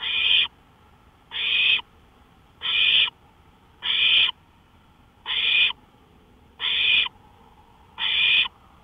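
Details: At night on a porch, an owl calls on May 5, 2013 at 1:53 AM: seven rasping, breathy screeches, each about half a second, spaced evenly around 1.3 seconds apart against quiet low hum.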